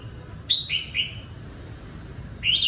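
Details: Red-whiskered bulbul, a trapped decoy bird from Cao Bằng, Vietnam: a few clear, slurred whistled notes, one dropping then repeating, and a rising final phrase after a pause, over steady background hiss.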